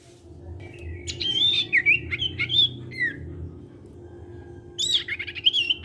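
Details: Sirtu cipow singing briskly to prompt untrained sirtu birds: rapid chain of clear, bending whistles and short chirps, a pause, then another quick run of high notes, with a faint steady hum behind.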